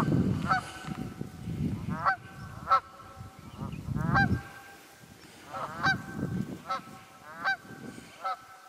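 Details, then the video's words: Honking of wild geese in the Quehanna Wild Area, Pennsylvania, February 2018: repeated nasal honks, sometimes doubled, spaced irregularly over strong low rumbling background noise. "Wild Geese Quehanna 27 Feb 2018"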